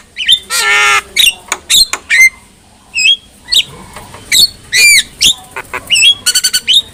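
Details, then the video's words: Javan myna (jalak kebo) singing as a tutor for other mynas: a buzzy rasping burst, then spaced, clipped whistles that hook up or down, closing with quick stuttering clicks. "KICAUAN JALAK KEBO | Masteran Jalak Paling Gacor,Hanya Hitungan Detik Saja Jalak Apapun Pasti Nyaut"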